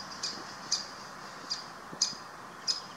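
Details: Great spotted woodpecker chick in Munich Botanical Garden giving short, high, sharp calls, five in three seconds at uneven intervals, over a steady hiss of background noise.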